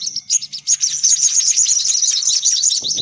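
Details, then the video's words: Sunbird chatter used as a lure: a few separate chirps, then an unbroken stream of thin, high, jumbled twittering, ending with a brief low rustle. "Suara Pikat Burung Kolibri Paling Manjur || Sogok Ontong Ribut"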